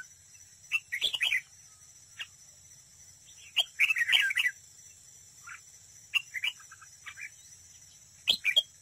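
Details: Decoy red-whiskered bulbul in competitive singing at a trap. It gives several bursts of bright, warbled, whistled notes with short quiet spells between them, over a steady high hiss.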